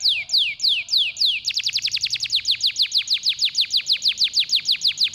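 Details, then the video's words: Training song meant to get lazy canaries singing: a few long, high descending sweeps followed by a fast steady roll of rapid down-slurred notes, clean and loud throughout. "sehr stark bei der Stimulierung des Geräusches fauler Kanarienvögel"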